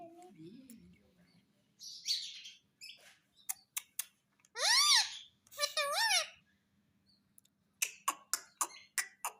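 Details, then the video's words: Talking pet parrot giving two loud, drawn-out rising-and-falling screeches midway. Scattered short clicks and chatter come before them, and a rapid series of sharp ticking notes closes the clip. A low steady hum runs underneath. "Talking Parrot"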